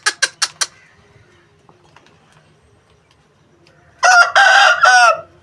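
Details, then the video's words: An Aseel rooster gives four quick sharp clucks and a quiet pause, then a loud, harsh, broken crow of about a second and a half. "Aseel Murga Ki Awaaz Compilation Asil Rooster Crowing Sound Effect"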